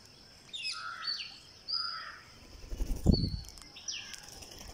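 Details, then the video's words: Green parakeet, on day 49, calling while being fed: short high chirps and thin sliding whistles come in small bursts. A dull low thump sounds near the end, over a constant high-pitched whine. "GreenParakeet Feeding"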